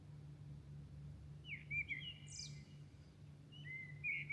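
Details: Milan birds at dawn: after a quiet start, a rich whistled warble with a brief high scratchy burst, then a pause and a rising, fluting phrase, all over a low steady hum.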